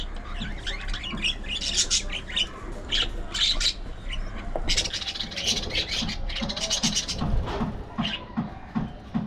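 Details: Budgerigars in an aviary colony keep up a busy chatter of rapid, scratchy chirps and squawks that overlap one another. The bursts come in quick clusters and leave no real pause.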